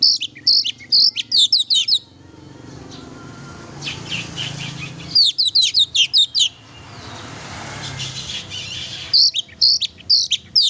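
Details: Lively oriental magpie-robin song used to provoke a pet magpie-robin: three bursts of rapid, high, sharp chirping notes, each lasting about two seconds and separated by quieter stretches of low background noise.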